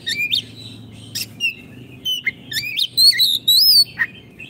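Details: Caged Oriental magpie-robin in song for training: bright whistled phrases with upward and downward slurs, sharp chips and trills, coming in irregular bursts about two per second, with a faint low hum behind.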